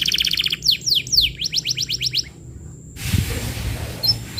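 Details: Canary lure song for training young canaries: a short rattle, then eight quick whistled sweeps, followed by a pause with background noise.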